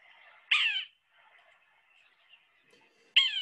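A Yellow-bellied Sapsucker gives two harsh, nasal, cat-like mews, each dropping in pitch, about two and a half seconds apart, with faint background hiss.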